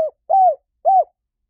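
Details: Close spotted dove coos: a clipped note, then two soft arched coos about half a second apart, each swelling and fading smoothly; clean and quiet background.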